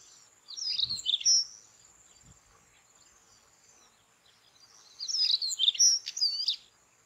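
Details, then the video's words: White-tailed stonechat singing in the evening on the Padma/Ganges char lands: two short, scratchy, high-pitched warbled phrases about four seconds apart, each mixing quick twittering notes with a thin whistled note, over a steady high insect-like hum. "White tailed Stonechat saxicola leucurus call1"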